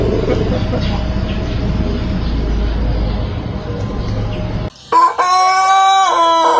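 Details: Pelung chicken, native ornamental fowl of Cianjur, West Java: several seconds of loud low rumbling background noise, then a sudden clear crow near the end, a level ringing tone with a slight dip.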